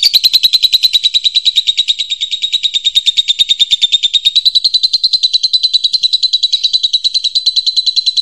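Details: Loud, pleasant-voiced champion lovebird used as a training model for other birds, giving an unbroken, piercing high trill of very fast, evenly repeated notes with a slight rise in pitch toward the end.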